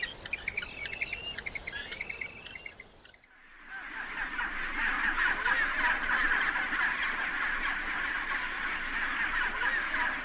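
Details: Penguins, males incubating eggs: after about three seconds of thin, high repeated chirping, a dense, continuous din of many overlapping honking, braying calls from a crowded colony.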